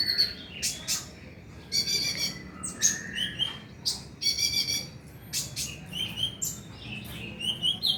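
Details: Oriental magpie-robin song used as playback to prompt a bird to sing at night: a busy run of sharp high chirps, buzzy trills and short whistled notes in quick bursts, with a faint low background hum.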